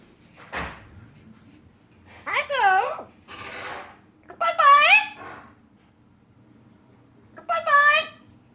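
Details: Female yellow-naped amazon parrot, a talker that also imitates dog, cat and chicken sounds, giving three loud, nasal, wavering voiced phrases with bending pitch, separated by short pauses, after a faint click.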